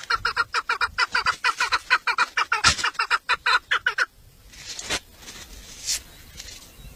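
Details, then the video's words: Caged village hen chukar, a hunting 'mari' decoy calling for males, utters rapid repeated chuk-chuk notes for four seconds, then stops, leaving faint rustling and a few clicks. "Evcil köy Marisi dişi keklik sesi"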